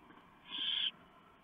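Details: Barn owl nest at night, 3 November 2015, as a huge mouse from the male is shredded for the owlets; one loud, harsh hissing screech lasting under half a second.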